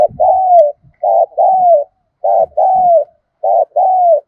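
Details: Decoy spotted dove used to lure and excite wild doves, 'thổ sấm' voice: three paired coos, each a brief note followed by a drawn-out falling coo, with faint low knocks in between.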